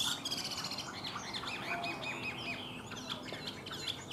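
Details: Caged Chinese hwamei delivering a dense, busy stream of chattering whistles and trills, fairly faint over noisy background.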